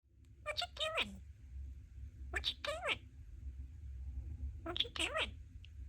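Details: Pet budgie talking happily indoors: several quick, squeaky, speech-like bursts with sliding harmonic tones, grouped in clusters about two seconds apart, over a low steady room hum.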